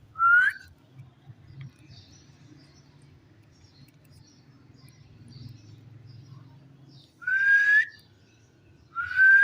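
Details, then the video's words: Talking ring-necked parakeet giving short, clear, rising whistles, one at the start and two more near the end, separated by a long low hum. "cute parrot amazing voice talking"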